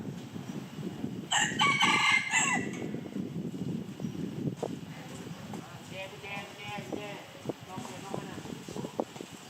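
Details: Red junglefowl crowing: a short, harsh, broken crow of about one and a half seconds, followed by soft, low clattering and rustling noises through the rest of the recording.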